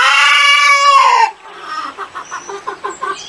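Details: Chicken calling with a long, loud, harmonic squawk, then a run of quick, soft clucks repeated about three times a second.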